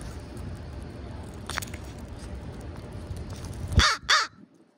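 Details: Pre-roost crows gathered in a schoolyard near sunset, following a familiar person and growing bold about food; two loud, harsh caws close together near the end, over a steady low background rumble.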